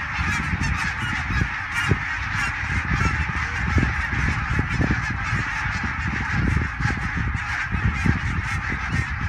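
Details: Greylag geese in their thousands darkening the sky as they fly over the dike toward the Elbe at Fährmannssand, Wedel, Germany, 12 April 2020, phone recording; a steady, massed din of loud overlapping honks and cackles, with wind noise underneath.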